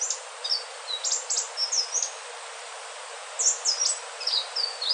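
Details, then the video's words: Melodious song of the Indigo flycatcher (burung selendang biru): strings of high, thin whistles with sharp downward strokes, a brief gap midway, then another lively burst of notes over noticeable background hiss. "Suara merdu sikatan ninon/ burung selendang biru"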